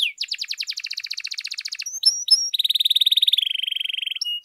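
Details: Canary song meant to excite other canaries into singing: a fast buzzy trill for almost two seconds, a few short clipped notes, then a long, even, rapidly rolling trill.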